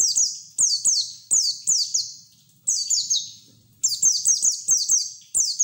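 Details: High-pitched white-eye ngeriwik singing, used as a lure for untrained birds: bright, falling whistled notes in rapid runs of three to five, broken by brief gaps, sounding thin and insistent.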